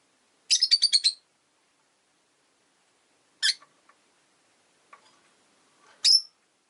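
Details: Caged pet rosy-faced lovebirds, one of five birds kept in a cage beside a window, give a fast burst of about six harsh, high chirps, followed later by two single sharp chirps.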